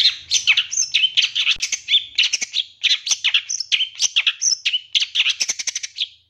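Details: Long-tailed shrike, 2023 contest champion, singing as a lure so a listening shrike responds quickly and gets agitated. Fast, nonstop chattering of grating, scratchy notes mixed with brief high whistles.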